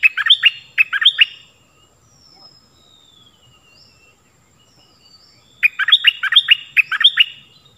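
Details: Stripe-throated bulbul song used to train young birds and lure wild ones: short bursts of quick, bright chattering notes, then a quiet gap with thin faint whistles, before another rapid run of sharp notes.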